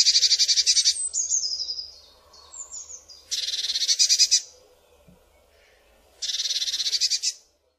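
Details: Eurasian blue tit calling: three dry, rattling churr bursts of rapid pulses, with a few thin, high, slurred notes between the first and second bursts.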